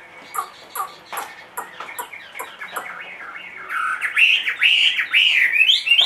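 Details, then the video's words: Sharp clicks and taps from a caged Chinese hwamei, a large-bodied two-and-a-half-year-old bird, lead into a burst of loud, fast warbled and whistled song during the final seconds. "HM 450 hót mọi địa hình bộ to 2,5 tuổi lồng"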